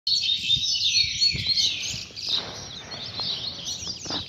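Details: Rusty-collared seedeater tutor song used for teaching young birds: rapid high twittering and sliding whistled phrases, continuous and dense, with faint low background noise.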